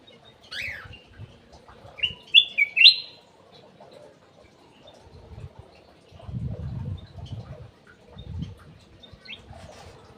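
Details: Golden bulbul (cucak emas) lure song recorded in an aviary: a sharp descending note, then three quick, loud whistled slurs, later faint chirps, with low thudding noises in the background.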